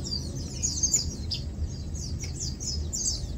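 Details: Lowland white-eyes chilling, feeding and preening give thin, high chirps and short down-slurred notes, scattered and overlapping, over a steady low rumble of background noise.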